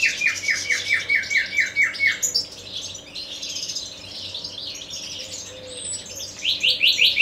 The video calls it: Nightingale song